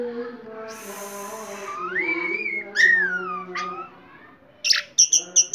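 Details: Orange-headed thrush in vigorous 'teler' style song: a long rising and falling whistled slur, then brief pauses and a quick run of sharp high notes, with a constant low hum behind.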